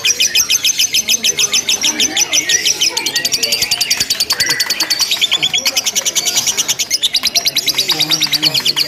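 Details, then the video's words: Simulated lovebird singing contest: a continuous high ngekek chatter, very rapid staccato pulses that shift slightly in pitch and never pause, several birds seemingly overlapping, with people talking softly behind. "SUMULASI LOMBA LOVE BIRD TERBARU 2025 NGEKEK TANPA JEDA DURASI PANJANG"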